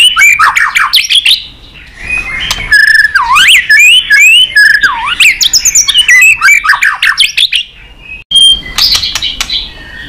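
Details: White-rumped shama singing competitively with tail flicking: varied looping whistles, sweeping slurs and bursts of quick chattering notes, with sharp clicks scattered through a long, continuous phrase.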